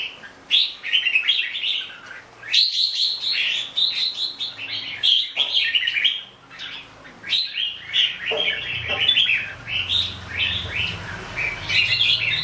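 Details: Red-whiskered bulbul singing long runs of quick whistled notes in a rapid, chattering flow, with a low rumbling background noise in the later part.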